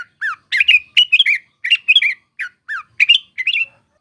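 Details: Sooty-headed bulbul, known locally as trucuk, singing energetically for use as a lure to attract birds for trapping: rapid bursts of bubbly, slurred notes, short phrases with brief pauses between, clean background.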